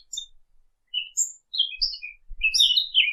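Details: Brief, bright bird chirps: scattered high tweets and short slurred whistles, then a denser cluster of falling twitters near the end, with faint low thumps underneath.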